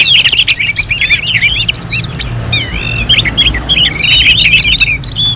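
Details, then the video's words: Orange-headed thrush contest-style song: energetic stream of short looping whistles and chirps, repeated in quick bursts with brief pauses, over low background hum. "KICAUAN ANIS MERAH SEPERTI SIMULASI LOMBA"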